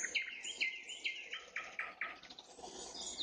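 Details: Evening nightingale song with a clear series of about eight identical rhythmic notes, each a short downward stroke, followed by softer twittering and a high rising flourish.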